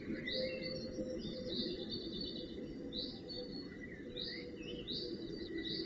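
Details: High, thin, drawn-out calls from goshawk fledglings being fed, 4 June 2018, in bursts about once a second over steady rushing wind or leaf noise.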